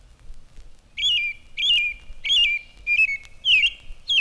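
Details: An American robin in spring sings loud, clear caroling phrases ("cheer up, cheerily"), about five short whistled bursts rising and falling, spaced half a second apart, while a phoebe sings faintly behind.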